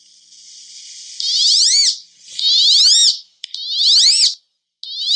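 A wood duck gives four shrill, squealing whistles, each rising steeply then dropping away, repeated about once a second with short pauses.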